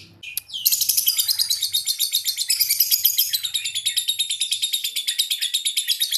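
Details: Lovebird said to be ambrol, mabung konslet: after one sharp chirp, a sustained, piercing, rapid chattering trill runs almost without a break, pulses steady and slightly slowing toward the end.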